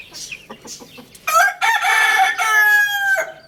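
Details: Home rooster crowing loudly: a strident call of almost two seconds with a brief break early on, holding level before it drops off. Softer clucking notes come first.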